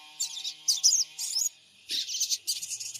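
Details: High scratchy chirping runs from a spotted (trotol) sogon bird, an Android phone recording from Purbalingga meant as a lure to provoke response, with three bursts before a short gap and two more after.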